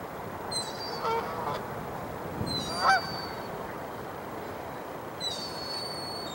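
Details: Canada geese squaring up for a gang fight at Dufferin Islands, December 9, 2022: scattered honks, the loudest near mid-clip, mixed with thin, high whistled squeals amid steady outdoor hiss.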